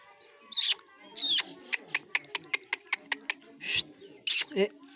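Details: Angry pet Indian ringneck parrot, biting, gives three harsh, rasping screeches with a quick run of sharp clicks in between and soft room noise behind.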